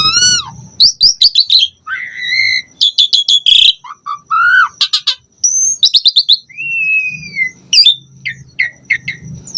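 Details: Asian pied starling singing a varied, richly filled song, used to stimulate other starlings: clipped chirps, rising and falling whistles, a long downslurred whistle near seven seconds and short chattering notes over a low background hum.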